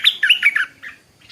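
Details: Stripe-throated bulbul in the morning giving a brisk run of four bright, bubbling notes, followed by a softer trailing note.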